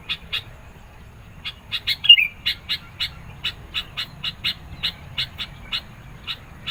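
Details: Sooty-headed bulbul song for luring and challenging rivals. Brisk chipping notes run almost continuously, speeding up after a short gap, with one bright downslurred whistle early on.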